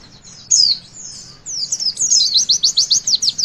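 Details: Javan white-eye, witwit song to stir young birds into singing: a loud upslurred whistle, a softer sweep, then a quickening string of piercing repeated chips rising in volume.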